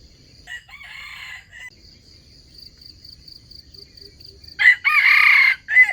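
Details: Crowing of a red junglefowl kept as a lure to trap wild chickens: a shorter strained crow early, then a long loud hoarse crow closing the recording, over a rhythmic high insect buzz.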